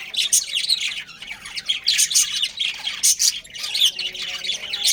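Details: A budgerigar breeding pair kept as pets produce dense warbling chatter: scratchy high chirps and short squawks repeating in quick waves about every half second to second.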